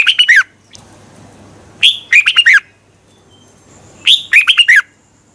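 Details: Morning competition song of a red-whiskered bulbul, meant to stimulate other birds to sing: three loud, warbling bursts of quick rising-and-falling notes, spaced roughly two seconds apart.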